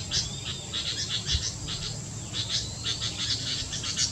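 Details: Pair of sooty-headed bulbuls recorded on 7 July 2023, giving short, bright chirping notes in quick irregular bursts throughout, over a steady high-pitched insect hum and a low background rumble.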